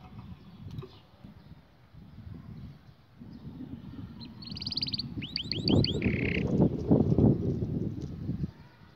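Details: Canary song phrase: a buzzy trill, then a string of quick repeated upswept whistles and a short lower buzzy rattle, with steady low background noise that grows louder toward the end.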